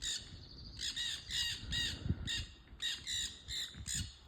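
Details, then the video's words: Parrots along a trail outdoors, making a noisy run of harsh, buzzy squawks in close pairs and triplets, with some low rumbling and handling thumps beneath. "Noisy Parrots on the trail"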